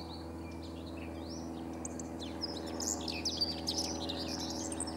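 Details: Common whitethroat by the Sava river in Prečko, Zagreb, Croatia, recorded 3 June 2017: a few thin whistles, then a rapid, scratchy jumbled warble, with a constant low humming background.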